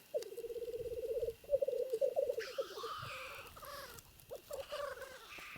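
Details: Black grouse cocks battling rivals on a Trans-Ural lek in the wild: rapid throbbing, bubbling coo phrases, then a wheezing hissed rush and further rolling notes, several birds overlapping.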